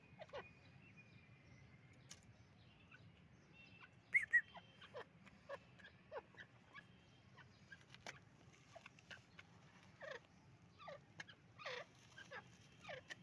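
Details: Male partridge, known locally as Dakhni teeter, giving a series of short, harsh, sharp notes. They come in irregular bursts that grow busier after the fourth second. A faint thin whistle sounds early on over a low steady hum.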